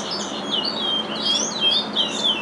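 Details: Short burst of a captive-bred curió's Curitiba regional song, shared with its father. Sweet, gliding whistles rise and fall in smooth slurs, each lasting a fraction of a second.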